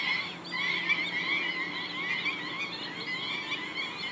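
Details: Thousands of black-winged stilts in a flock at Gathera bird sanctuary wetland, Gujarat, India, calling with many overlapping high, yelping, nasal notes in a constant, busy chatter.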